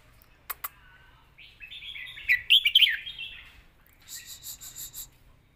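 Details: Red-whiskered bulbul song in the southern Thai competition style, kept as a training recording for young birds: slurred whistled phrases around the middle of the clip, rising and falling, then a quick run of short repeated bright notes at the end.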